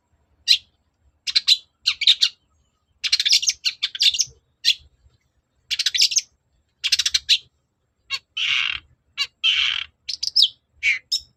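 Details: Long-tailed shrike singing hard as a lure to get other shrikes answering: fast stuttering trills and scratchy bursts in clusters, then broader harsh rasping notes and thin whistles toward the end.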